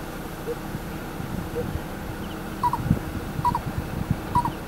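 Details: Lesser coucal (Centropus bengalensis javanensis) near a house in Bacolod, Philippines, giving short, hollow double notes about once a second, preceded by two softer, lower notes, over steady low rumbling background noise.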